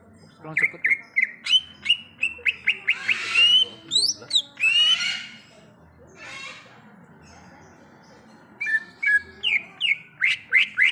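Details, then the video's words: Wild greater green leafbird (cucak ijo) in forest, singing a fast series of clear whistled notes that slide up and down. Harsher noisy bursts come in the middle, then a quiet gap before the whistles resume. "Suara Asli Cucak Ijo | Suara Alam Cucak Ijo"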